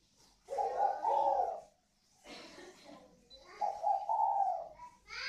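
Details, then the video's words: Caged spotted dove from a northern Vietnamese pair valued for its 'còi vang' voice, cooing in two long, low, throaty phrases about three seconds apart, with a quieter rough sound between them and a faint higher note at the end. "Thưởng Thức cặp đoi chim cu gáy CÒI VANG _ THỔ XỊN (cu gáy miền bắc)"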